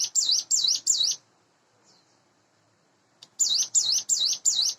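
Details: Hand-raised Sunda bush warbler kept in captivity, about eight months old, in the morning: three rapid wavy high notes, a two-second pause with one faint note, then four more matching notes.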